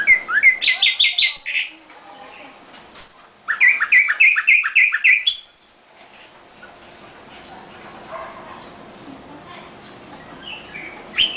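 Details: Nightingale singing in a cage: a fast jumble of sharp chirps, a short high whistle, then a rapid rhythmic string of repeated slurred notes, then quieter faint notes.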